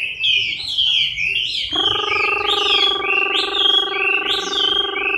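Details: Chinese hwamei during moult, October 2015: clear whistled notes, each sweeping up or down, in a lively string. After nearly two seconds a steady buzzing hum with stacked tones starts and runs to the end.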